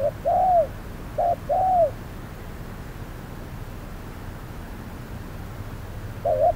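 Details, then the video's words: Decoy spotted dove calling during trapping on a hot midday: two pairs of soft arched coos, short then long, followed by a long quiet pause and one more coo at the end. "Bẫy cu gáy 10 // Mồi VR001 gặp phải con Bổi quá khôn"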